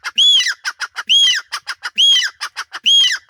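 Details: Grey francolin male in Punjab giving its repeated call: four high, arched whistles each trailed by a rapid series of short staccato notes, cycling roughly every 0.85 seconds with steady rhythm.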